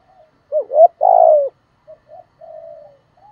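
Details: Spotted dove song with calling, urging and cooing: two quick rising hoots run into a long, loud, slightly falling coo, followed by faint short notes and a soft, trailing, level coo.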